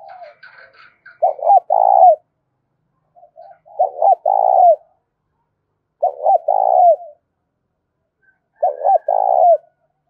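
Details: Dove coos used to provoke spotted doves to call: four evenly spaced low phrases about every two and a half seconds, each a pair of quick hoots running into a rough, vibrating coo.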